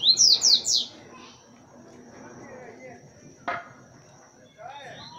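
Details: Caged Double-collared Seedeater of the boca suja song style. Three loud, quick, rising whistled notes open the first second, then come quiet room sounds and a sharp click.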